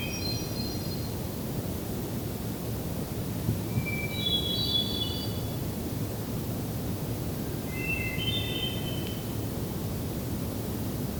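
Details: Hermit thrush near sunset on June 6, 2023, on a trail to Hector Falls, Tionesta Scenic Area, Allegheny National Forest, Pennsylvania, sings three flute-like phrases about four seconds apart, each a clear held note then a higher shimmering flourish, over a steady low rumble.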